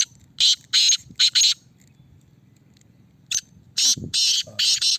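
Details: Caged black francolin (kala teetar), the bird in the red cage, being tested: loud, harsh, grating bursts, three quick rasping notes then a pause, followed by a second run of four scratchy notes, over a low background murmur.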